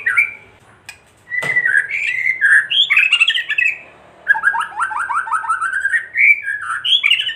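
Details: White-rumped shama singing a kretekan-style song meant to provoke other shamas into agitated singing: varied whistled and buzzy phrases, a sharp click, then a quick run of descending rattled notes and rising slurred whistles.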